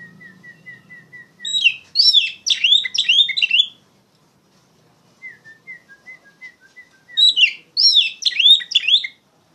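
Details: Oriental magpie-robin singing loudly as a lure to train young songbirds: soft, short, evenly spaced whistles alternate with two rich bursts of rapid, tumbling, sweet whistled phrases.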